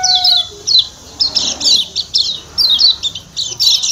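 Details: Brisk 'ciak ciak' call of the kecial kuning (Lombok white-eye): high, buzzy downslurred chips in short bursts about every half second.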